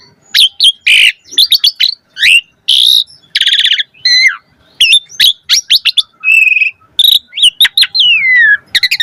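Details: Asian pied starling pouring out a chatty song laden with fill phrases, used as a lure to prompt starlings to sing: dense sharp chirps, grating buzzes, a fast trill and a long descending whistle.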